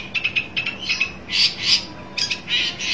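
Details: Long-tailed shrike seeking a rival utters short scratchy notes in pairs, then broad rasping screeches, a pause, and more grating bursts, with a steady low hum in the background.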